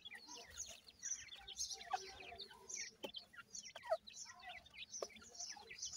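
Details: High, piping peeps from a group of ring-necked pheasant chicks during feeding, dozens of short downward-sliding notes tumbling over one another with occasional soft knocks in the background.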